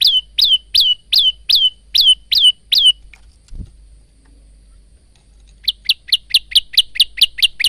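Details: Varied song of a male Bar-winged prinia used to train caged prinias: eight loud rising chirps, a silent gap with one thump, then a faster run of about thirteen clipped notes.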